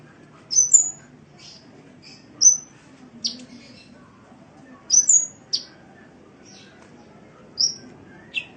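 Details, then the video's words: Cage-bird training song of a sunbird (kolibri), Indonesia: sparse high whistled notes and thin squeaky chirps in small clusters every couple of seconds, separated by quiet gaps with low background hum. "Masteran Suara Burung Kolibri"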